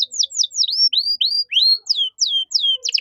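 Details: Canary song in the 'cengkok mewah' style for tutoring young songbirds: a quick series of slurred whistles, first falling, then rising-and-bending notes about every quarter second, ending with sharp falling chips.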